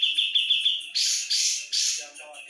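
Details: Javan brown-cheeked bulbul (cucak jenggot) singing gacor-style: a run of five short sharp chirps on one high pitch, then three loud, broad, buzzy bursts and softer twittering at the end.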